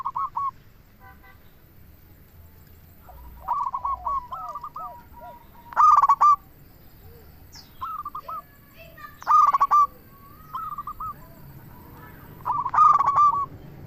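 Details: Lure singing from a local zebra dove, intended to stir other doves to respond; loud harsh coo bursts recur about every 3.3 seconds, separated by series of quieter soft coos, with a quiet background.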